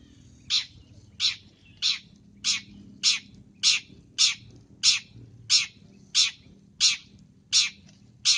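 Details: Long-tailed shrike, actively calling in a masteran recording: thirteen evenly spaced, harsh, rasping notes, one about every two-thirds of a second, with a faint low hum behind.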